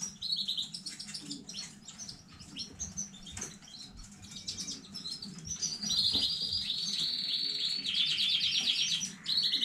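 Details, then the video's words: Canary from a new breeding line, 15.05.2019, singing softly: scattered high chips and short notes, then a sustained fast, buzzy high trill lasting several seconds. "KANARYA ÖTÜŞÜ YENİ ÜRETİM HANEDEN 15.05.2019 CANARY SINGING"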